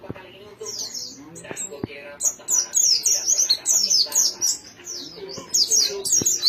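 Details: After a quiet start with a few knocks, a white-eye bursts into fast, high-pitched twittering song, busy runs of sharp slurred notes filling the second half.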